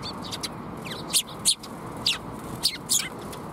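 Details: Sparrows coming to be fed at a Tenmangu shrine, May 2021: short sharp high chirps, several birds calling in irregular bursts over a steady low background hum.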